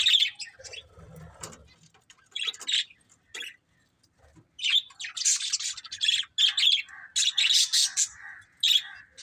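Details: A breeding pair of budgies utters sparse, sharp chirps early on. After a near-silent gap, rapid buzzy warbling chatter follows in clustered bursts.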